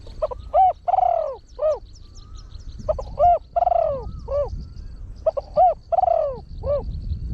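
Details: Deep-voiced trained spotted dove used as a lure for wild doves, singing a rapid crowing pattern with a single thrown 'kuk'. Three repeated phrases of short hoots, then a long sliding coo, spaced about two and a half seconds apart, with a thin high hum behind.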